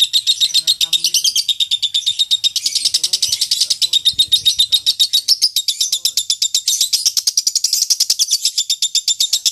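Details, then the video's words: Lovebird champion song meant for training birds for singing contests, a sustained rapid rattling chatter of high piercing notes, steady in pace with slight rises in pitch. "Masteran loveBird Juara"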